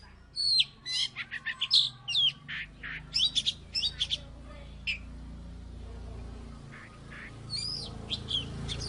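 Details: Oriental magpie-robin from Salatiga, a former third-place contest winner, giving a quick series of high sharp whistles and chirps, then falling quieter with steady low background hum and a few scattered notes.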